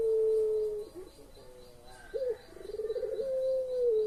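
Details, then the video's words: Lure coo of a pelung collared dove for stirring quiet birds: the tail of a long tone, a pause with soft notes, then a new phrase opening with a hooked note, rapid throbbing pulses and a sustained tone. "SUARA BURUNG PUTER PELUNG"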